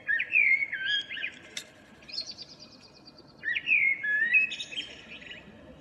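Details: Morning song of a local common blackbird, April 2013: two fluty warbled phrases separated by a pause, each ending in higher, thinner twittering notes.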